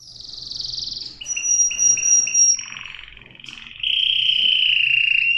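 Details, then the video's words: Canary singing a varied phrase: a high whistled note, a run of short repeated chirps, then buzzy rolled notes ending in a long steady whistled trill. "صدای قناری"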